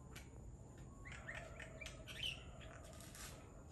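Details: Common myna (Acridotheres tristis) calling at Nawala, Sri Lanka, 9:02 am on 23 October 2021: harsh, squawky notes mixed with short chirps, a few per second, over a steady low rumble.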